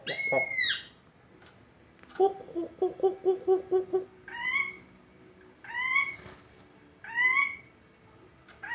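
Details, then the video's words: Greater green leafbird singing in an unusual voice: a loud arched whistle, then a fast, low, chattering trill of about eight notes, then three spaced, slurred, rising-falling whistles. "Cucak ijo suara aneh tapi ngetrend"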